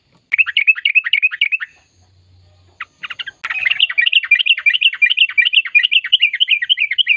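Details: Sooty-headed bulbul song in a long, rolling chattering style, used to stir silent birds into singing: a run of quick chirpy notes, a brief pause, then a steady, fast stream of bubbly repeated phrases.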